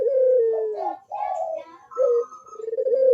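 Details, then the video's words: Barbary dove cooing steadily, used as a lure to get lazy doves to coo: a low, smooth note that slides gently downward, then a brighter broken phrase and another level coo, with overlapping voices. "PANCINGAN BUNYI PUTER PALING AMPUH UNTUK BURUNG PUTER YANG MALAS BUNYI"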